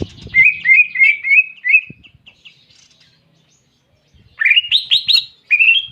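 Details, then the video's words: Canary-imitating song of a greater green leafbird, clear tutor recording: a run of slurred rising chirps, then a pause of about two seconds, then louder, higher sweeping notes resuming. "Masteran Cucak Ijo Isian Kenari Jernih"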